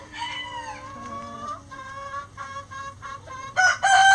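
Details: Before dawn as chickens fly out of the coop, a long run of harmonic wavering calls and clucks rises and falls, ending with a sudden loud harsh crow burst.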